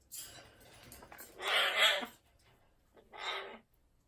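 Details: Amazon parrot giving two harsh, raspy squawks: a louder one of about half a second, then a shorter one after a brief pause, with faint clicks and taps beforehand.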